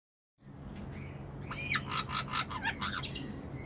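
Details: A black-headed caique eating passionfruit in an aviary in Brisbane, Australia, 2016, gives a quick run of harsh, raspy squawks with a few short whistled notes over a low indoor hum.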